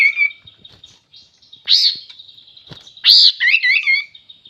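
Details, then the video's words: Sooty-headed bulbul, described as a vigorous champion singer: a clear whistled note near the start, two loud burry bursts, then a quick run of bright rising-and-falling whistles over a steady thin high tone. "Suara Burung Kapas tembak Super Gacor"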